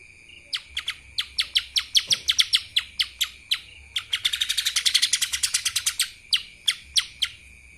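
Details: Kapas tembak style song of a lesser green leafbird (cucak ijo mini): bright, piercing chips quicken into a dense, buzzy, high burst midway, then slow back to separate emphatic notes.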